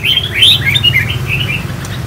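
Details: Four-year-old caged Khánh Hòa red-whiskered bulbul, singing after a cool bath, gives a run of bright, warbled whistles that rise and fall quickly, over a steady low hum.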